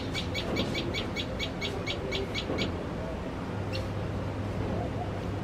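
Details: Common tailorbird, said to fear cats and be noisy while feeding chicks, giving a fast run of about ten sharp, high chips, roughly four a second, then a single later note, over a low background rumble.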